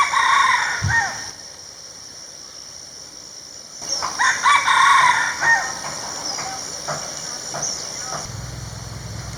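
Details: Red junglefowl crowing in the wild, a male announcing territory or seeking female attention: a brief crow ending at the start, a quiet pause, then a second full ragged crow around the middle, over thin high chirping and steady background hiss.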